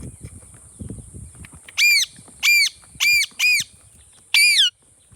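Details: Indian ringneck parakeet, said to be a talking bird, giving five loud, harsh, arched squawks in quick bursts, grouped as two, then a close pair, then one more, over faint low rustling and handling noise.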